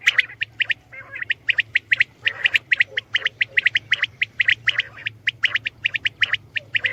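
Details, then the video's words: Common quail (batair) calling: a steady run of sharp clipped notes, mostly in pairs, repeated several times a second with short gaps, over a low constant hum. "Batair ki Awaz , Batair Sound vol 69 , Common Quail Sound 2020 | Common quail Calling"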